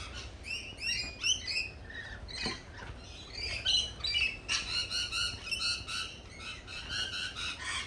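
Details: A group of lorikeets at a cafe, a dense run of rasping, harmonic squawks and chattering notes overlapping almost continuously, with steady low background noise.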